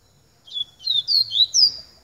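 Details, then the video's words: A yellow-bellied seedeater gives a quick run of four or five high, sweet slurred whistles, some rising and some falling, over about one and a half seconds in quiet surroundings. "Coleiro Baiano Pica"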